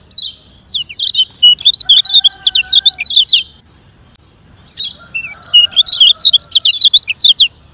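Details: Fast 'ngejoss speed kenceng' training song of a lemon-bellied white-eye: long, busy runs of high, sharp, bouncing notes in two phrases, with a faint lower steady tone under the first.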